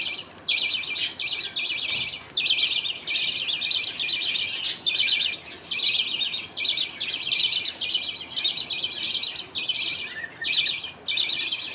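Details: Budgerigar father feeding two young with millet paste while the mother watches in a colony; continuous, harsh, high-pitched chatter broken into about a dozen short bursts with occasional sharp clicks.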